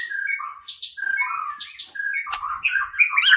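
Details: White-rumped shama in continuous song meant to provoke rivals: a flowing mix of slurred whistles and chirps shifting quickly in pitch, growing busier and more warbled toward the end.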